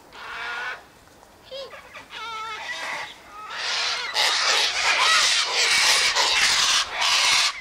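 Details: Sulphur-crested cockatoos (Cacatua galerita) by an eastern gate, feeding on tossed-out sunflower seed, wheat and birdseed, give a few short, nasal, wavering calls, then break into loud, harsh, grating screeches that run on almost without pause.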